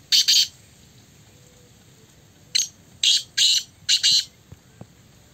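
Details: Black francolin (kala teetar) in a calling contest, giving harsh, grating bursts of noisy notes: one short burst, a pause of about two seconds, then four rasping notes in quick succession, over a quiet background.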